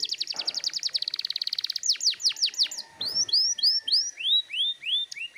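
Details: Insistent canary song for training young birds to sing: a rapid rolling trill of high notes, followed by slower falling whistles, then a series of bright rising-and-falling arched notes repeated about twice a second.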